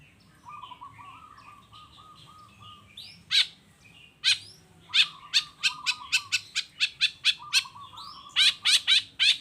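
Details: Long-tailed shrike lure song in 'toet toet' style: a soft steady low tone with quiet chatter, broken by loud sharp clicking notes delivered in a fast regular series, ending with a harsh burst.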